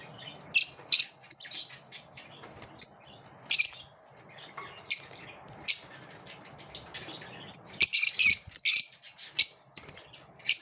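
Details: Lovebirds in competition produce lively bursts of shrill chirps and raspy squawks, clustered into quick runs with a dense, excited flurry near the end.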